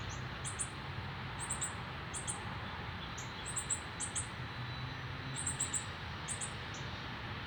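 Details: A male northern cardinal feeds its fledgling, first day out of the nest, Canada, September 12, 2020; the young bird gives soft, high chips in quick groups of two to four, separated by short gaps, over low background noise.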